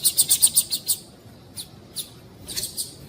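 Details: High chirping calls of a female double-collared seedeater, played to stimulate a cold male into singing: a fast series of about eight sharp notes, then scattered single chirps and a short cluster near the end.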